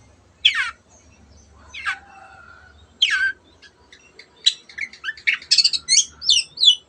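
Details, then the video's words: Cendet, the long-tailed shrike, in rousing 'gacor' song to set silent birds singing. Three loud descending sweeps, spaced over three seconds, then an accelerating jumble of chips, trills and twisting whistles. "CENDET GACOR MENJADIKAN YANG DIAM IKUT GACOR the sound of shrike birds"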